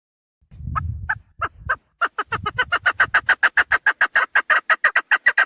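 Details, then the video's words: Female chukar partridge lure call for hunting: a few scattered clucks with low rustling handling noise, then a fast, regular rattle of harsh chuck notes building in loudness. "Dişi keklik sesi"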